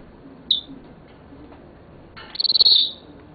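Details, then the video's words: Seven-year-old male Senegal parrot kept as a pet, described as talking; a short high whistled note, then after a pause a longer buzzy, pulsed high note lasting nearly a second, over a quiet room hum. "Senegal Parrot Talking"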